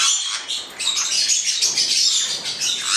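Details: Black-headed parrots, a pair, keep up a steady wash of rasping, high screeches that run together for three seconds with one short lull near the start.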